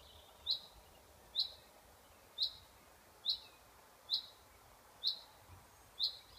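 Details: Chaffinch repeating a bright, clipped high chirp seven times at roughly one-second intervals, each note brief and identical, with low background noise.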